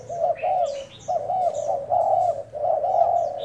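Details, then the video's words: Decoy spotted dove cooing during a 1 November trial: loud, drawn-out low coos in three or four phrases, with thin high chirps from nearby small birds. "Mồi trần thái gù thử"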